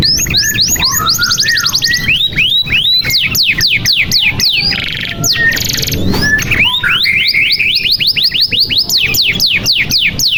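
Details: Energetic canary song meant to coax quiet or young canaries into singing: fast rising and falling whistled sweeps, dense rolling trills, a harsh buzzy burst midway, then more quick slurred notes, loud and continuous throughout.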